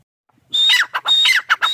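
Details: Teetar (grey partridge) chicks calling: harsh squawking notes with a thin high whistle, about four bursts in under two seconds, with no other sounds heard.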